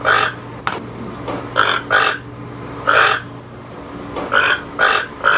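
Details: Harsh toucan croaks, about nine in uneven pairs and singles, with a sharp click early on and a soft steady hum.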